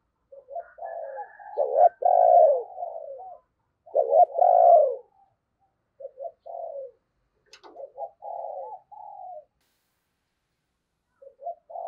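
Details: Decoy spotted dove gives its cooing song to attract wild doves. There are two strong phrases, each a stuttered start and a swelling purred coo, then a scatter of softer short coos and a faint tap.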